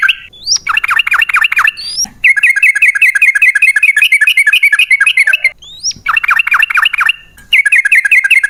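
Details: Yellow-vented bulbul (trucukan) in a long rapid-fire chattering roll, the ropel panjang style, used as a lure to make caged birds sing; dense buzzy notes repeat about two or three per second, broken by short rising whistles.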